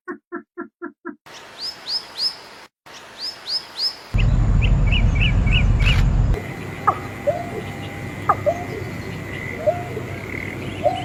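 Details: Birdsong in several short passages: quick series of bright chirps repeated in groups of three to five, then scattered higher notes over steady outdoor background noise.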